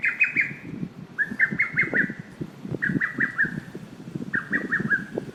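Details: Repeated lesser cuckoo calls, each a rapid series of four or five sharp whistled notes, phrases about a second and a half apart, over a busy low rumbling background.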